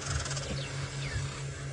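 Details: Hornbills warming up at sunset on 4 March 2018 at Djuma Game Reserve, Sabi Sand, South Africa: deep, muffled "kuruk" booming pulses, two short bursts about a second apart, with faint higher bird whistles and a background hum.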